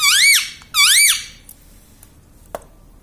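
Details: Indoor talking parrot repeating "mummy": two loud, swooping, nasal syllables in quick succession, then near silence with a couple of faint clicks.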